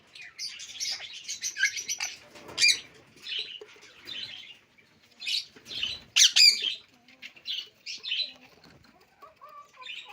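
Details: Alexandrine parakeet, a talking bird using Urdu and English, delivering harsh nasal syllables in irregular bursts, with two loud strident peaks and short silent gaps.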